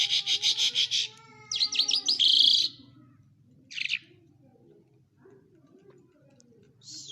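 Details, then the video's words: Lark singing in Quetta: a fast series of pulsed high notes, then quick whistled downslurs and a scratchy flourish, with a lower sustained tone beneath; later only isolated chirps over quiet background hum. "Lark birds of Quetta singing very nice کوہٹہ لونڈا جل کی آواز"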